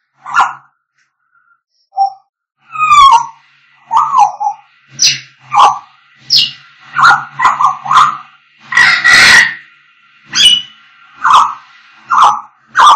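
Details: African grey parrots whistling and singing in a dense run of varied notes: rising whistles, short squawks, a harsh noisy burst in the middle, then repeated clipped calls roughly every second.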